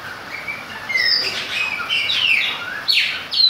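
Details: Singing in the rain, a Chopi blackbird gives a short burst of bright whistled notes, some sliding downward, with a few sharp rising slurs near the end.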